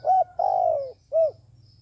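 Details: Decoy dove used by trappers, cooing: a short hooting note, a longer note sliding down in pitch, then a short rounded coo after a pause; a faint low hum underneath.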